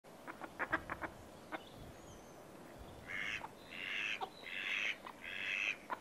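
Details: A wild greylag goose, one of a pair on a Scottish loch, gives four harsh, nasal honks in quick succession, about half a second each, after a few soft clicks and splashy sounds.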